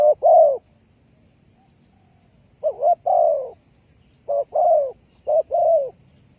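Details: Spotted dove (Spilopelia chinensis) giving soft, low cooing phrases, each a short note followed by a longer hollow coo, repeated about every one and a half seconds.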